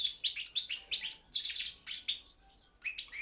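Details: European goldfinch, subspecies balcanica, singing as a championship entry: bright, rapid twittering phrases of tinkling and nasal notes in two close bursts, a brief gap, then another short chirped phrase.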